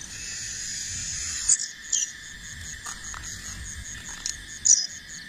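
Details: Fledgling bar-winged prinia learning to fly gives three brief, very high, thin chirps spaced about a second or more apart, over a steady loud insect drone of crickets with faint low background rumble.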